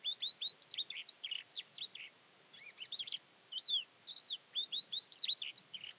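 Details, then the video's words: Thekla's lark song from near Castro Verde, Alentejo, Portugal, 12 April 2017: fast, lively series of high slurred whistles and chirps, densely packed at first, a brief lull, then another energetic burst. "Thekla Lark Sings"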